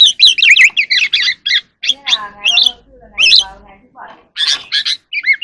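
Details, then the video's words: Evening song of a wild oriental magpie-robin as it dances. Quick warbled whistles open the clip. A stretch of nasal, harmonic-rich calls follows, and then sharp whistled bursts return. "kacer alam | Choè than hót múa buổi chiều tối เสียงนกกางเขนบ้าน"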